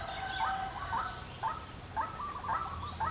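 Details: Short morning bout from a white-breasted waterhen: soft, rough notes repeated about every half second over a continuous high insect drone.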